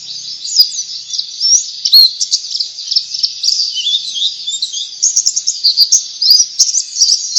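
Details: Pleci (white-eye) singing in ngalas style, a song used to prompt other white-eyes to sing: dense, high twittering of rapid slurred chirps and short trills, unbroken for the whole stretch, with no other sounds.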